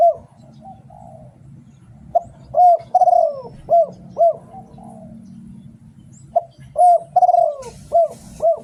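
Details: Spotted dove kept for Thai singing contests, giving rhythmic cooing phrases of short notes around a long sliding coo that falls in pitch, heard twice, with steady low rumble and a brief hiss near the end.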